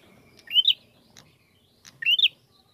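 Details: Two bright, rising whistled upslurs about a second and a half apart from a bar-winged prinia, a recording used as a lure to draw out singing, with soft background rustle.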